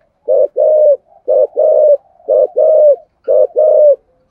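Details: Spotted dove singing its full thổ sấm voice song with two ending notes; four low paired coos, short then long, spaced about a second apart, soft connecting hums between, a faint high click at the close.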